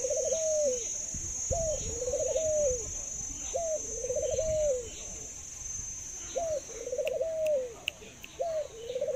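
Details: A caged Thai dove, kept as a pet bird and praised for laughing and long cooing, gives five phrases of a quick upslurred note and a rolling, stuttered coo falling at the end, with faint clicks near the close.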